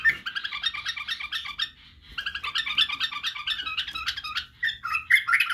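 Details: White-eared bulbul, locally badrawi bulbul, giving a model song for young bulbuls to learn singing, barwaz and wing-clicking: steady, fast-pulsed warbled chatter in two long runs with one short break.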